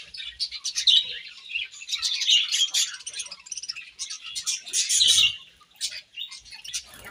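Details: Budgerigars chirping while they feed on grass: a busy stream of high, buzzy twitters and short whistled notes, swelling and fading in waves.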